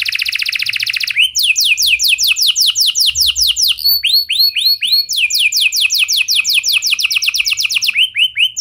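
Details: Canary song for prompting other canaries to sing: a very rapid high buzzing trill, then a long series of loud, clearly spaced descending swoops repeated several times a second, changing pace partway through.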